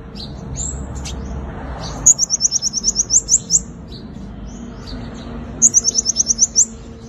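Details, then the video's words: Fighting song of a sunbird, kept as a lure for catching wild birds: two rapid, high-pitched trills of clear repeated notes, each lasting about a second and a half, separated by soft chirps, over low background hiss. "Tiếng chim hút mật 5 màu dùng đi mồi đánh bổi - Tiếng chim hút mật 5 màu hót đấu"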